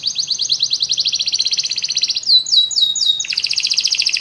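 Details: Several canaries singing together after hearing music, delivering a rapid even rolling trill of pulsed notes, then a few looping downslurred whistles before a high rattling tour resumes.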